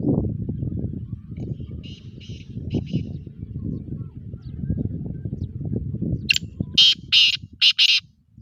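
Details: Sindhi black francolin: after several seconds of low rumbling background noise with faint distant notes, a sharp click leads into three or four harsh, buzzy bursts that end the phrase.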